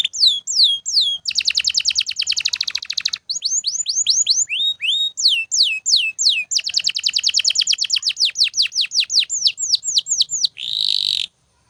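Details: Canary singing nonstop for training other birds: long song of alternating rapid rolled trills and series of downward-slurred whistles, closing with a short buzzy burst before silence.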